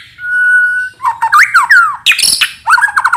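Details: Singing white-rumped shama, heard as a lure sound: a long flat whistle, then twisting slurred notes, a harsh burst and quick chattering fragments.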